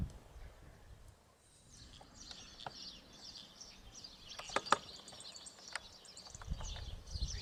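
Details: A European Goldfinch (Carduelis carduelis) sings a fast, high, tinkling twitter of rapid chirps, with a few sharper clicks, over low background rumble.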